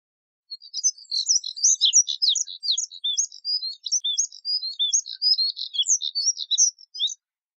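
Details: Moussier's redstart song: a rapid, continuous scratchy warble of high twittering notes, jumbled short chirps and quick downslurs running about six and a half seconds without a break, on a silent background.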